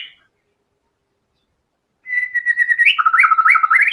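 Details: Loud white-rumped shama phrase: a held whistle followed by a rapid run of alternating low and high whistled notes that climbs at the close, after nearly two seconds of quiet.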